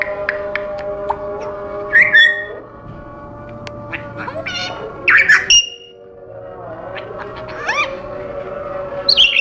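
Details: Caged African grey parrot, a household pet, giving loud harsh squawks mixed with slurred whistles and clicks, bursts around two and five seconds, a short pause, then more rising whistles and a final squawk.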